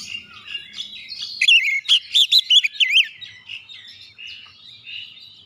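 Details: Singing of an Oriental magpie-robin, intended to make other birds sing: soft scratchy warbling that builds into a brief flurry of loud, looping whistled notes, then settles back into quieter twittering.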